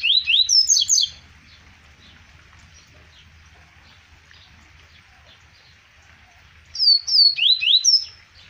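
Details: Double-collared seedeater from Arapiraca, Alagoas, Brazil, 2020, giving short phrases of bright, piercing slurred whistles, one at the start and another near the end, with a quiet stretch and soft background hiss between them.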